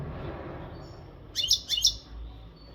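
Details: Untutored Maghreb goldfinch in readiness condition giving two quick sharp chirping bursts, bright and tinkling, in an otherwise quiet room with low background hiss.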